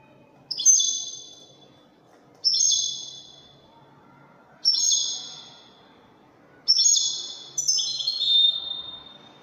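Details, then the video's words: European goldfinch singing in the Widani song style: four separate bright, buzzy phrases, each sliding downward and fading, about every two seconds, with faint low background hum. "تغريد طائر الحسون الويداني"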